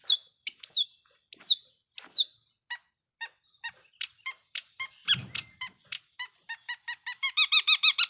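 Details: Long-tailed shrike lure song used to provoke other shrikes: a few high downslurred whistles, then clipped sharp notes that speed up into a rapid squeaky trill at the end.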